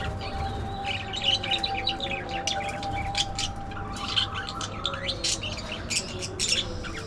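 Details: Continuous budgie chatter, a dense stream of quick twittering chirps, clicks and squeaky warbles, with a steady tonal hum running underneath throughout.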